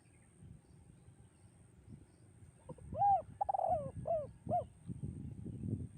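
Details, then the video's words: Spotted dove singing the echoing, melodious 'kuk 2' style of song: one phrase of four mellow arched coos, the second drawn out and wavering, over a low rumbling background. "bergema suara tekukur kuk 2 dan mengalunkan 2 irama merdu mendayu"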